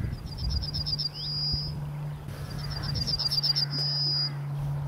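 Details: Yellowhammer singing in Scotland, heard on a walk: two phrases, each a quick run of about seven high repeated chips ending in a long drawn-out thin note, over a steady low hum.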